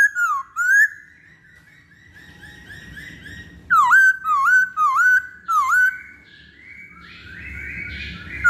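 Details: Masked laughingthrush (poksay Hongkong) pancingan recording: two loud dipping whistles, then a long soft steady tone. A second cluster of four strong, dipping whistled notes follows, and the end fades into hiss.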